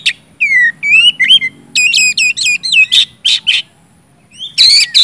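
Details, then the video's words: An oriental magpie-robin sings a lively gacor ngeplong performance meant to stimulate silent birds: long sweet whistles, a rapid series of repeated bent notes, brief harsh bursts, then a pause before more loud whistling. "kacer gacor ngeplong,sangat cocok buat pancingan kacer macet"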